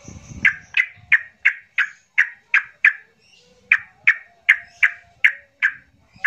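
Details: Yellow-vented bulbul in an agitated 'trucukan emosi' style, played as a lure to make silent bulbuls sing: a rapid series of harsh, squawky notes, about three per second, steady and insistent, with a brief pause midway and a quiet background.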